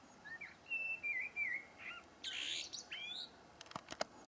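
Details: Blackbird phrase of sweet, level fluted whistles with small warbled turns, followed by a rushing noise and a few sharp clicks.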